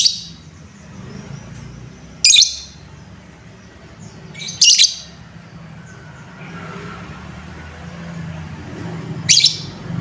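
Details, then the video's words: Lovebird trigger sound meant to rouse untrained young lovebirds: three brief, piercing high chirps spaced a few seconds apart over a steady low hum. "Suara pancingan lovebird Bahan, menaikan emosi lovebird"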